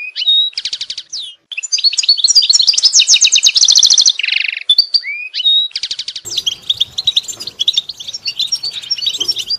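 A goldfinch sings a fast, liquid twitter of high tinkling notes and rattling trills, with one nasal buzzy phrase; faint background noise and other chatter later.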